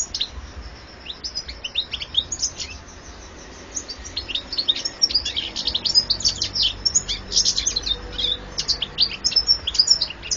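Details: European goldfinch song: a fast, tinkling stream of high twitters, trills and short buzzy notes, starting sparse and building into a continuous bubbling run from about the fourth second, over a quiet background.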